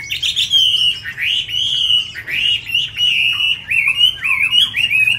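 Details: Chinese hwamei, a tame cage bird from Hanoi, sings continuously: rich, loud, sweeping whistles that swoop down and up in quick succession, with no other sounds present.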